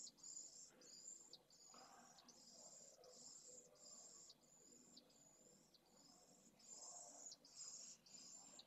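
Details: Pallid swift chicks asking for food in a nest watched by a live camera, Jerez de la Frontera, 8 September 2022: a run of shrill, hissing trills, each about half a second long with brief breaks between them, with low scuffling sounds underneath.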